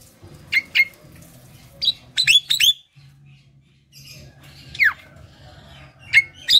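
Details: Javan myna calling to draw other mynas into song: scattered sharp whistled notes, some upslurred and one long downward sweep, separated by pauses, over a low steady hum.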